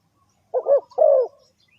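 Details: Single spotted dove phrase used for luring birds into a trap: a short throaty coo running straight into a longer, smooth, falling coo in quiet surroundings.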